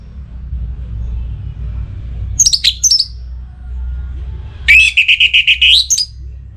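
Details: Kept orange-headed thrush, worked up and breeding, calling out to a rival: a short burst of high, scratchy notes, a pause over steady low hum, then a fast run of repeated whistled pips that closes on a sharp rising flourish.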